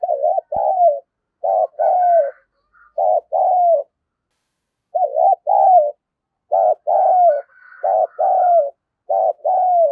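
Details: Lure spotted dove in the 'đồng pha' voice style, used to goad rivals into fighting, gives repeated short-then-long paired coos in bursts, with faint higher soft notes between some phrases.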